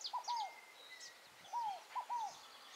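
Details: Two three-note phrases from a wild Scaled Dove (rolinha fogo-apagou), Tupi Paulista, São Paulo: each a low, downward-arching coo then two quick matching coos, with thin high bird calls faintly in the background.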